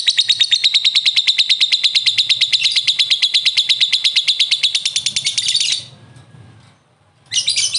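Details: Lovebird in a long ngekek, answering another lovebird: nearly six seconds of fast, evenly spaced shrill notes, then a short silence before another burst begins.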